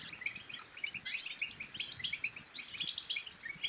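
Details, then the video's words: European goldfinch song meant to stimulate singing and mating: quick, sparkling high twitters with piercing bright notes recurring about every second, over a faint background hiss. "بتبتات الحسون بتبتة تنطق اي حسون كان صامت سيغرد"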